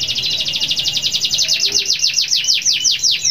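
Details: Canary singing a long trill that calls rivals: a fast, even series of high descending notes, about eight per second, slowing slightly toward the end.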